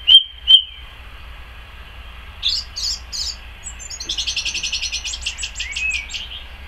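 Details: Song thrush singing in a garden on 12 May 2014: loud, clear phrases, a short note repeated three times, then a fast, high, rattling series of notes, over a quiet background.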